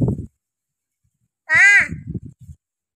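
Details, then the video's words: Tame talking crow said to speak only the words "ho" and "kay", called to while being offered food: one strong, hoarse, arching caw after a moment's silence, with soft human murmuring around it. "बोलणारा कावळा"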